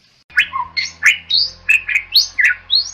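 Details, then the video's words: Bali myna, a rare protected bird of Bali, singing a melodious series of loud, clear whistled and rasping notes, rising and falling, about eight phrases in quick succession with low background hum. "MERDU KICAU JALAK BALI YANG SEMAKIN LANGKA DI HABITAT LIARNYA"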